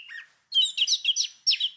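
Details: Chestnut-capped thrush (Geokichla interpres), a small monomorphic Southeast Asian forest thrush, sings a quick run of high, sweet whistled notes and slurred trills, about six phrases in under two seconds.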